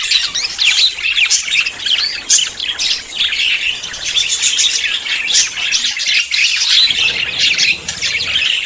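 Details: Courting budgerigars preparing to breed deliver pulsing bursts of high chirping and warbling chatter, several birds overlapping in a steady, energetic stream.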